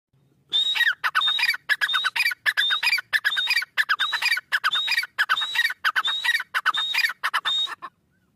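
Grey partridge giving a harsh, creaky, grating call, repeated about a dozen times in quick succession, each note rasping with a thin high edge.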